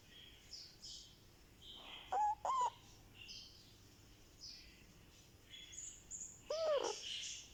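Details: Indian ringneck parakeet chick, one month old, calling softly during a head massage: two quick arched squawks, a pause, then another, over distant high twittering birds.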